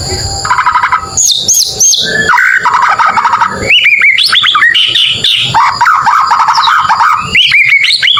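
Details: White-rumped shama singing a provoking filler: dense, busy phrases of trills, high whistled loops and rapid chattering notes with hardly a break. Steady low background noise runs throughout.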